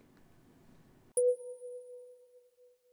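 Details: A low murmur cuts off into a sharp, sustained electronic ping that fades away, with no animal sound.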